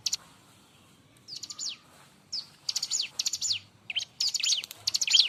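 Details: Bar-winged prinia (ciblek) singing loudly and busily, a recording meant for training and luring other birds. Bursts of quick, falling, whistled chirps come in rapid clusters, growing denser toward the end.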